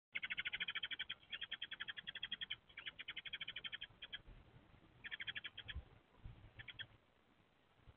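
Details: Resident male Eurasian tree sparrow on a nest-box roof, April 6, 2024, rapidly chatters fast runs of bright, dry chirps at a young male seeking a nest site, while a young female courtship-dances nearby; low rumble underneath.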